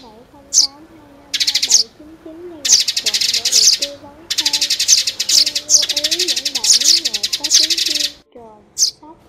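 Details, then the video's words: Sparrow calls used as a trapping lure: bursts of dense, buzzy, harsh chirps in rapid runs, broken by short pauses, with a man's voice talking underneath throughout. "Tiếng Bẫy Chim Sẻ Trong Xóm 2024 , Tiếng Sẻ Tò Mò Và Quyết Định Xuống Keo Ăn Chim Mạnh Nhất Bây Giờ"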